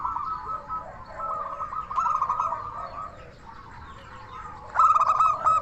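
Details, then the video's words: Local zebra dove in full song, used to stir other doves to answer: mostly soft, fast rolling trilled cooing with overlapping voices, then a loud ringing staccato burst near the end. "Perkutut Lokal Gacor SUARA KRISTAL Ahlinya Bikin Semua Burung Perkutut Langsung Nyaut"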